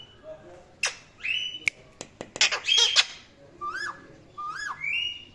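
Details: Indian ringneck parrot kept as a pet, giving harsh squawks and clicks followed by three separate short, arched chirps and a final level call.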